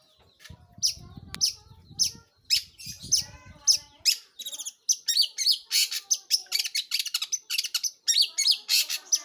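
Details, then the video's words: Long-tailed shrike in lively, full song: rapid bursts of sharp, high chirps and harsh notes repeated several times a second, with a few low murmuring sounds early on. "burung pentet/cendet gacor"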